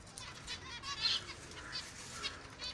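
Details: Several finches give quick, high, buzzy chirps in overlapping bursts, one brighter squeaky note standing out near the middle, over a faint low background hum.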